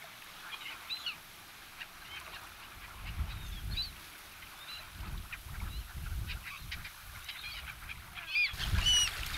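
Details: Flock of black-headed gulls, white-headed in winter, being fed by people at Kasumigaura Park, Tsuchiura, Japan, gives harsh, rasping calls, several overlapping every second, over low rumbling wind and handling noise.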